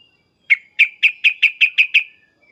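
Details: Sooty-headed bulbul giving agitated, loud 'cukcuk' calls: a quick series of eight sharp, clipped chips, evenly spaced about five per second, then silence. No other sounds.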